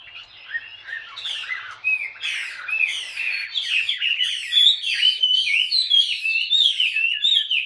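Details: An adult Chinese hwamei taken from the wild, caged two years, sings bright sharp whistles and buzzy downslurred notes in quick succession, growing louder toward the end.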